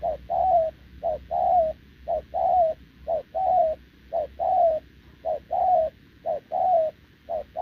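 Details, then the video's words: Wild-caught, short-legged spotted dove cooing steadily to a decoy bird, recorded 6 November 2024. Each phrase is a short coo followed by a longer, slightly falling coo, repeated about once a second in a regular rhythm. A faint hum sits underneath. "Bổi đồng chân lùn | Bo mình chắc đẹp | gù liền với mồi Đồng TT"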